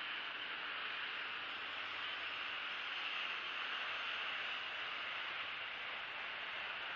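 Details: Only a steady, even hiss of static is heard from start to finish.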